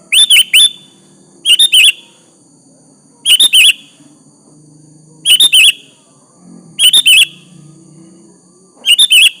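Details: Challenging song of a sooty-headed bulbul, aimed at making a rival answer; tight trios of liquid whistled notes repeated steadily about every two seconds, over a faint low rumble.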